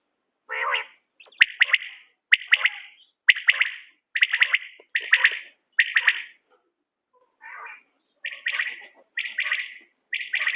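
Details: Repeated calls of a common quail, each a quick cluster of clipped, bright notes about once a second, with a brief pause near the end and a couple of sharp clicks early on.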